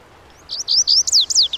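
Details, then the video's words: Loud, clear Lazuli bunting phrase: a run of high sweet notes, steady at first, then sharply falling slurs in quick succession, just over one second long. "The Melodic Song of the Lazuli Bunting"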